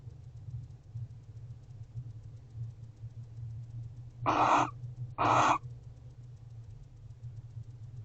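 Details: At an owl box, barn owls guarding the house at 5:41 am on 12/1/23: after a quiet stretch of low hum, two short, harsh hissing screeches about a second apart, then quiet again.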